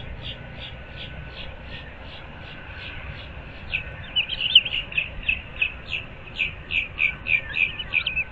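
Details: Osprey at the pair's nest, Moorings Park, Naples, Florida, 06:37 on 15 April 2024: a quiet string of high chirps swells halfway through into louder, urgent whistled notes repeated rapidly and evenly.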